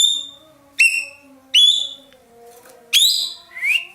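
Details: Ekek keling, or racket-tailed treepie, from Indonesia, valued by bird hobbyists as a master singer, giving three loud, metallic, down-slurred notes about a second apart, then a softer rising note, over a soft steady background drone.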